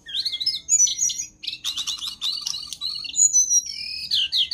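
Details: Jongkangan singing gacor as training material for other birds: rapid mixed chirps, rattling note bursts, and bright whistles that slide and waver.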